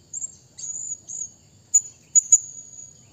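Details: Thin, sustained high squeals from a Blue-crowned hanging parrot calling a rival, broken by three sharp piercing chips in the second half. Otherwise quiet.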